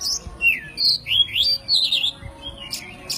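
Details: Master song of a white-breasted oriental magpie-robin (kacer poci) with forest-style fill, used to train songbirds: a run of clear, sweet whistles, some rising, some swooping down, in quick separate bursts.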